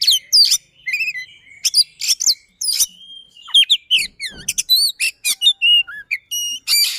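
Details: White-rumped shama, a kept bird, sings varied phrases of looping whistles, buzzy rasps and sharp chips, starting somewhat spaced and then speeding into a rapid run of notes.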